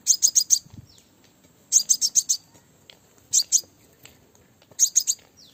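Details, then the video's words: Call of a female crimson sunbird, used to draw in males. Quick clusters of three to five high, piercing chips, repeated roughly every one and a half seconds over a quiet background. "Tiếng hút mật mái mồi, Crimson sunbird Female"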